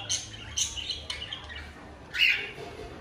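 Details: Cockatiel pair in breeding mood calling: a few isolated, raspy squawks spaced about half a second apart, then a louder shrill, slightly whistled squawk near the end, with a faint hum in the background.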